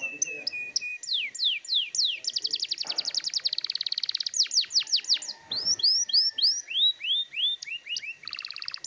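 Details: Vigorous canary song used to draw young canaries into singing. Varied phrases follow one another: quick chips, rapid downslurred whistles, a fast even trill, buzzy rolls and arched rising-falling notes.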